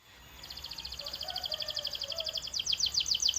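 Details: Canary trill swelling from near silence into a quick, steady pulsed roll, the beats growing louder and turning into little sweeping notes toward the end.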